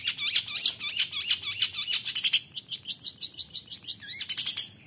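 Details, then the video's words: Long-tailed shrike song used to stir other shrikes to sing: a dense, rapid chatter of high notes mixed with slurred phrases, then a fast even trill of repeated clicks. "Bikin Cendet Lain Emosi ikut Gacor | Pancingan Cendet"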